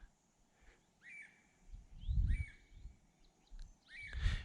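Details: A red-headed woodpecker gives harsh, slurred shrieks about once every second or two in the background, on a hot, humid hike at Wekiwa Springs State Park, Florida, during the COVID-19 closure, with low rumbling wind and handling noise.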